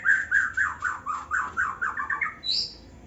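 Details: Young white-rumped shama in an aviary in Indonesia, giving a run of about ten short, slurred mid-pitched notes, roughly four per second, that drift slightly downward and end with a single thin, higher note.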